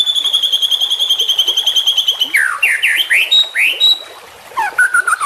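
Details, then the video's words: A loud, buzzy, high trill from a juvenile white-rumped shama, a champion bird used for training, gives way to sweeping rich whistles and a short pause, then a burst of brisk notes. "Trotolan Murai Juara Supaya Cepat Rajin Bunyi & Gacor"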